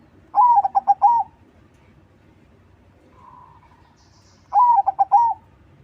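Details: Perkutut, a crossbred zebra dove, singing to lure other doves: two identical low cooing phrases about four seconds apart, each a long note, quick stuttered coos and a drawn-out ending, with a faint soft murmur between them.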